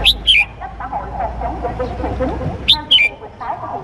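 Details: Male red-whiskered bulbul of Cambodian origin calling to a female, used as a lure call: two bright, whistled phrases of three quick notes each, about three seconds apart, over steady low noise and background chatter.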